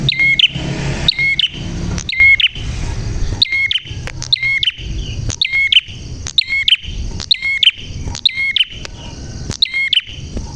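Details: Clear, energetic song of a prinia: crisp clicking chirps with a ringing high tail, repeated steadily around a dozen times, almost one per second, with quiet background rumble.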